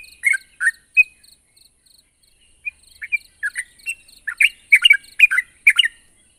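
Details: Sooty-headed bulbul challenging a rival with scattered, uneven chirps that speed up into a denser chatter of bright notes toward the end. A soft high ticking runs underneath.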